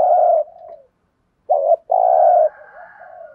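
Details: Decoy spotted dove cooing to stir wild doves into calling back: low, hollow coo notes, a long note, then a short one and another sustained coo after a pause, with softer trailing murmurs.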